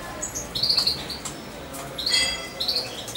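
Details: Hand-raised European goldfinch of almost two months, staying near its keeper, giving bright, high, slightly buzzy chirps in two short bursts about a second and a half apart, with quiet background noise.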